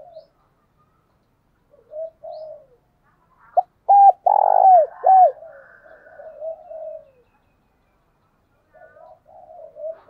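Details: Spotted dove kept as a decoy, calling to provoke wild doves: soft coos, then a loud burst of clipped hoots and a long throaty coo, trailing into quieter murmurs.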